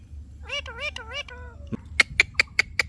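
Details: Indian ringneck parakeet talking: a string of wavering, speech-like harmonic syllables for about a second, then a falling note and five sharp, evenly spaced clicks.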